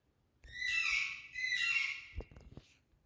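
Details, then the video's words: Pet Indian parrot talking indoors: two drawn-out, voice-like harmonic phrases, each about a second long, followed by a few soft clicks and taps. "Indian Parrot🥀Candy Love to Talk"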